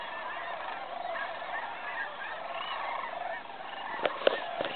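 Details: Evening fly-in of cranes at Bosque del Apache National Wildlife Refuge, 2011 Festival of Cranes: dense overlapping rolling calls from a large flock, with a few sharp clicks near the end.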